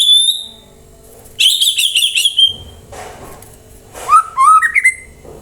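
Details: White-rumped shama song meant to draw other birds into replying: a high drawn-out whistle, a long trilled warbling phrase, then a pause and rising whistled notes climbing upward.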